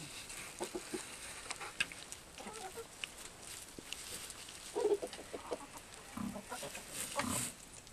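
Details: Chickens kept in an aviary, giving scattered short low clucks and a few sharper calls, loudest near the middle and the end, over a steady background hiss.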